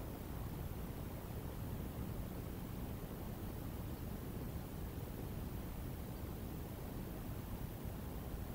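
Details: Constant broadband hiss and low rumble, like wind or distant traffic, with no animal call.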